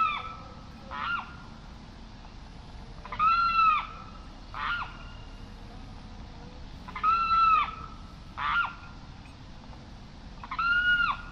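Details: Slow sequence of ringing Limpkin wails, the carrao, alternating longer drooping cries with shorter notes, spread irregularly over about eleven seconds.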